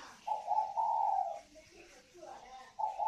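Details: Northern Vietnamese spotted doves, a native pair kept in a bird garden, prized for their ringing 'còi vang' voice. A long, steady, throaty coo, followed by softer low notes and a fresh coo starting at the end.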